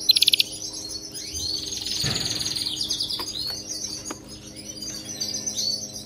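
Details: Canary song intended to train a pet canary to sing: brief rapid trill, then a broad rushing burst followed by scattered high chirps and whistles.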